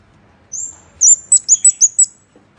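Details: Scarlet-backed flowerpecker giving a lure call: a thin rising whistle, then a tight string of six loud, high ticking notes over about one second.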